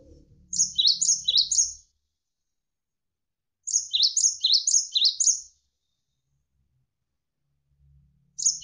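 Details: Javan sparrow (gelatik wingko), tutor recording for training songbirds: two bursts of four or five rapid, high, down-then-up chirps separated by a pause, with a faint low hum between them.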